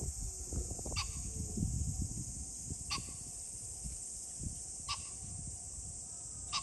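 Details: On 21 July 2024 a pheasant repeats a short, explosive, rasping call about every two seconds, four times in all, at a distance against low rumbling background noise.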